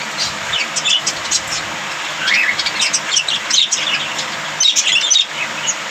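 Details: Budgerigars give a dense, continuous chatter of high, quick chirps and short warbled whistles, several birds overlapping throughout, with a faint low rumble beneath.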